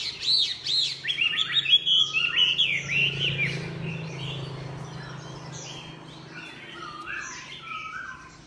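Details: Chinese hwamei song opening with loud, quick looping whistles and chattering notes, then softening into quieter, scattered whistled phrases over a low background hum.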